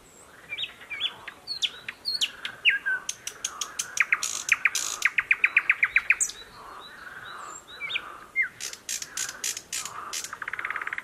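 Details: Newly arrived thrush nightingale in thickets near a stream, Mogilev district, Belarus, 11 May 2021, sings long varied phrases: whistled slurs, fast rattled click series and a closing buzz, with frogs croaking from a nearby pond.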